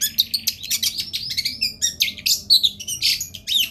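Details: A lively long-tailed shrike sings in a tutoring recording for other birds, giving a nonstop stream of quick high chirps and sharp twittering notes, several per second, with scarcely any pause.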